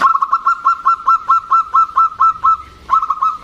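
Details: A female zebra dove calls to a male, the birds answering one another with a local, vocal, loud-voiced male. Rapid, evenly spaced mellow notes repeat roughly six times a second, pause briefly, then resume.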